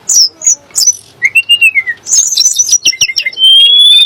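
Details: Song of the Sunda blue robin, locally tledek gunung, used to provoke other birds such as shamas: sharp high notes, an arched whistle, then rapid twittering and a thin sustained whistle.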